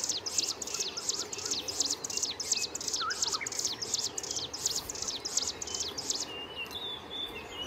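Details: Himalayan prinia (Prinia crinigera), also called striated prinia, in Himachal Pradesh, India, sings a fast run of high, thin, down-slurred notes, about two a second, over steady hiss; another bird calls briefly midway.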